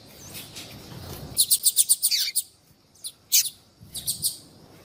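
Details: Female Yellow-bellied seedeater (Sporophila nigricollis) calling to attract males, used to stimulate singing in a male that has gone quiet: a quick run of about seven thin, high chirps ending in a falling note, then two shorter bursts.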